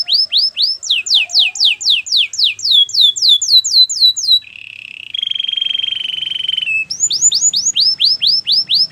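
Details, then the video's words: Training song of a canary: a long series of rapid descending whistled swoops, then a sustained mid-pitched rolling trill lasting about two seconds, followed by more bright swooping notes. "Canary's training song"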